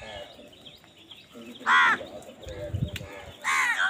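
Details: Crow calling while crows fight for food: two loud, hoarse, harmonic-rich caws about two seconds apart over a murmur of background noise and low rumbling.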